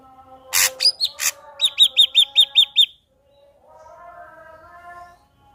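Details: Ashy drongo singing vigorously to prompt another ashy drongo to sing: a harsh rasp and whistled hook, a quick run of seven sharp chirps, then quiet with faint background tones.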